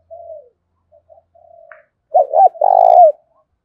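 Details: Spotted dove lure bird in thổ pha voice: faint low murmurs, then a loud burst of two quick coos and a long vibrating coo at the end.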